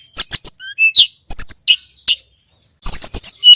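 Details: Masteran song of the tledekan gunung, or Sunda robin: loud crisp chirps in pairs, scattered slurred whistles, a short silence, then a fast run of bright high twitters.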